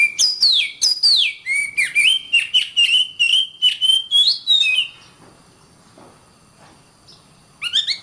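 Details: Oriental magpie-robin song from a long tutor recording for training songbirds: rapid run of loud, varied whistled notes with sharp downward slurs and a sustained rippling phrase, then about two seconds of quiet before a brief new burst.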